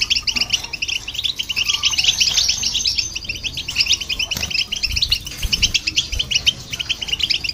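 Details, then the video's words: Goldfinch and hybrid singing, used to irritate other birds; fast, liquid twittering with a dense burst in the middle seconds and a few soft low thumps in the background. "Goldfinch And The Hybrid To Hear And irritate The Birds"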